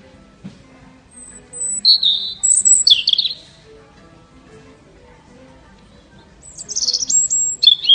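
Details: European robin singing at a garden centre: short bursts of high, thin, warbled and trilled phrases, one at about two seconds and another near seven seconds, separated by quiet pauses, with faint low background hum.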